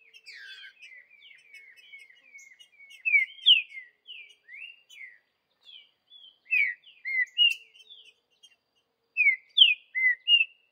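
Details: Wild green-winged saltator in the bush singing Vidigal phrases: a busy stretch of overlapping chirps and whistles from other birds, followed by clear loud falling whistled notes in groups of three or four.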